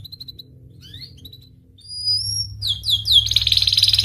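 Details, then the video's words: Panda canary singing energetically: scattered high thin whistles and rising slides give way to rapid descending sweeps, then a dense, fast buzzy trill, with a low steady hum underneath. "Kenari panda gacor"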